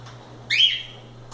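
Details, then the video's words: A single loose pet cockatiel at play utters one short, upward-sweeping whistled note that levels off into a fading tail, over a quiet room hum. "Calopsitas Live Canto dos pássaros"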